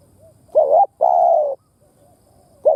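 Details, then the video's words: Decoy spotted dove giving its stimulating call: a brief wavering note and then a longer, even coo, with the next phrase just beginning. Soft low background hum. "Tiếng Chim Cu Mồi Đất Thúc gù gù cà lăm gáy"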